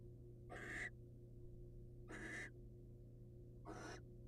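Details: Wild male barn owl presenting his catch to a waiting female: three short harsh hissing screeches, each under half a second, about every one and a half seconds, faint over a steady low electrical hum.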